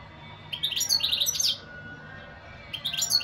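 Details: European goldfinch with a long, rapid, high tinkling phrase lasting about a second, followed after a pause by the start of another.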